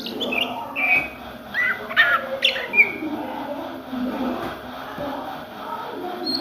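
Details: Oriental magpie-robin ngriwik song recorded during the day: a brief burst of clear whistled notes and chirps in the first three seconds, then quieter low background murmuring.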